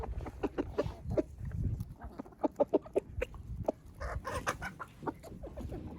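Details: Chickens in a village garden, while ducks are being introduced to them, give short, throaty clucks in loose bursts, several in quick succession, over a low rumble of wind and a person's laughter and talk.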